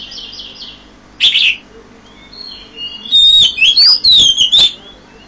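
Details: Oriental magpie-robin at 5 a.m.: a short harsh burst, a pause with faint distant notes, then a loud sequence of sweet, warbled whistles sliding up and down.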